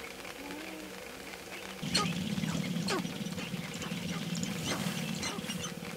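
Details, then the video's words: Sharp-tailed grouse at their mating dance in the early morning of May 5, 2019, giving a steady low droning hum under scattered sharp clucks and hoots, with some rustling handling noise. "Sharp Tailed Grouse Mating Dance 2019"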